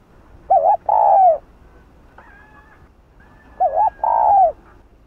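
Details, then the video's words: Spotted dove with the Hạp Bổi voice, calling to rile rival doves: two phrases of a wavering rising double note followed by a long downward-curving coo, a faint thin whistle between them. "Cu Gáy Giọng Hạp Bổi [ GÁY GỌI + THÚC + Gù ] Kích Bổi Cay Cú"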